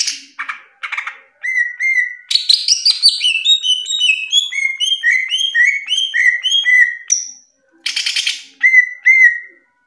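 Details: Masteran song from a top national greater green leafbird: harsh opening notes, then a long sequence of clear whistled notes, steady and descending in steps, broken by buzzy rasps near the end.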